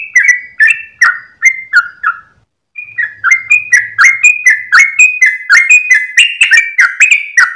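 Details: Sooty-headed bulbul in long 'ropel' song at dawn: quick clicked whistles, a brief pause after two seconds, then a faster, denser run of rising and falling liquid notes to the end.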